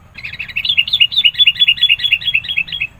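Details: Sooty-headed bulbul in persistent, energetic song used to provoke rivals and lure birds: a fast run of about twenty bright chirped notes, wavering up and down, delivered almost without pause over three seconds above a low background rumble.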